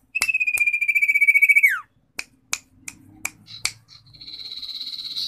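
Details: Common iora gives one long, even, pulsed trill that drops sharply at its end, then a handful of crisp clicks and a harsh, buzzy rasping phrase that carries to the end.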